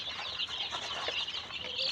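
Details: A brood of Tiger chicken chicks on a farm in Sirajganj, Bangladesh, cheeping together. Shrill, high, short peeps crowd over one another in a steady chorus, with light scuffling below.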